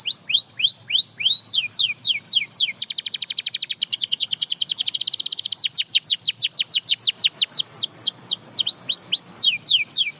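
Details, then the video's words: Singing canary said to encourage other canaries to sing again: loud rising whistled notes in series, switching into a rapid metallic trill, then sweeping descending and rising phrases, all high and continuous. "Watch How This Canary Inspires Others to Sing Again!"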